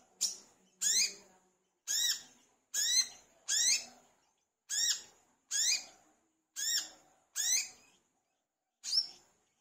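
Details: Olive-backed sunbird (wiceh) singing hard as a lure for other sunbirds: ten short, sharp, upswept-then-dropping chirps spread irregularly over nearly ten seconds, some paired closely together.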